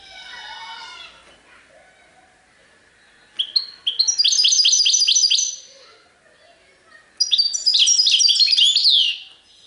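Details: European goldfinch, serfati tiwawati song style: after soft background sounds, two loud bursts of quick, evenly repeated metallic trills follow, each lasting about two seconds and separated by a brief gap.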